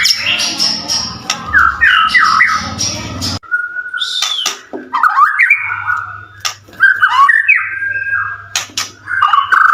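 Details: White-rumped shama in full song, used to stir other shamas to reply: looping whistled phrases, sharp clicks and rising slurs, over a steady low hum and a noisy first few seconds.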